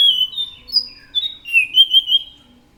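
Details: Orange-headed thrush singing, a string of clear whistled phrases, some flat and some gliding up and down, in quick succession over a quiet background.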